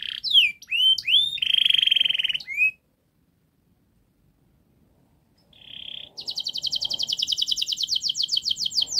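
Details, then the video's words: Canary song serving as a model for young canaries: swooping whistles and a buzzy held note, a silent gap, then a short tone leading into a long, rapid rattling trill. "Kenari Gacor Panjang Speed Rapat Untuk Pancingan kenari Paud Agar Cepat Gacor"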